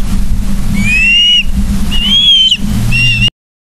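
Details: Osprey on a Charlo, Montana nest, 31 August 2023, 09:36, recorded by a nest camera: three long, clear whistles that rise slightly, over low rumbling noise before the sound cuts off.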